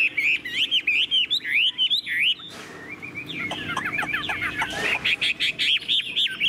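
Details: Tame caged Chinese hwamei, described as singing like a machine, repeats bright wavy whistled notes rapidly, then a brief rushing noise, then a burst of jumbled twittering and more wavering whistles.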